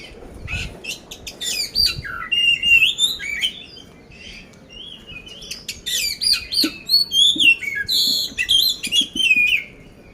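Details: Caged oriental magpie-robin of the poci type from Magelang, Central Java, Indonesia, singing continuously and ready for competition with coarse-filled song: loud bursts of whistled, slurred notes and sharp chirps, a quieter pause, then another long burst.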